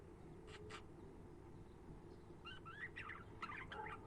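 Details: Budgerigars heard as a faint, rapid warble of short twittering chirps in the second half, jumbled and irregular, after a couple of brief scratchy bursts near the start over steady low background hum.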